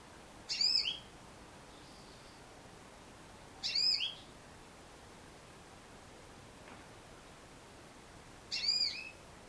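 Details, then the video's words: Female Yellow-fronted canary, Serinus mozambicus, repeating a brief high, ringing, slightly buzzy call phrase three times at roughly three-second intervals, each lasting under half a second, over steady background hiss. "Mendengarkan suara burung Mozambik Betina"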